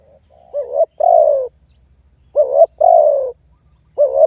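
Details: Challenging call of a spotted dove aimed at a rival: a short note that bends upward, then a long mellow coo sinking in pitch. The phrase is repeated three times over a low droning hum.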